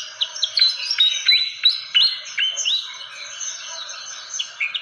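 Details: Fantail lure call used for attracting birds: sharp chirps, many sharply rising or dropping notes, given in quick irregular bursts about every half second, high-pitched and clear.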